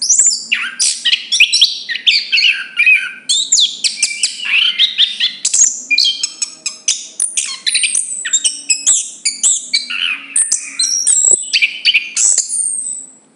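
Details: Chestnut-capped thrush pouring out a lively, varied song of squeaky whistles, twittering trills and sliding notes in quick succession for over ten seconds over a soft steady hum.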